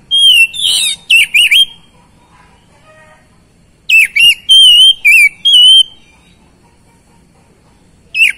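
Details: Oriental magpie-robin song played to provoke silent birds into singing. Loud, clear whistled phrases come in bursts of sliding and warbled notes, with pauses of a few seconds between bursts and a faint low hum in the background.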